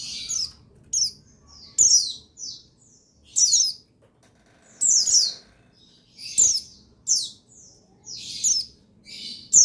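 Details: Male buxtoni white-eye, song used to get white-eyes singing: steady run of high, sharp downslurred chirps and twittered phrases about every second, faint low rumble behind.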